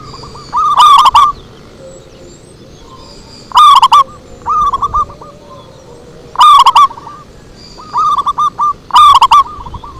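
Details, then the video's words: Zebra dove lure song, loud rolling coo phrases recurring roughly every three seconds, each starting with a harsh distorted burst and trailing into a quick stuttering series of coos, with quieter coo runs between. "Suara Merdu PIKAT PERKUTUT"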